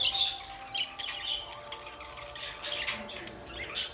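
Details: Short squawks and harsh chirps from pet budgies, a few loud bursts separated by quieter twittering, with faint background music.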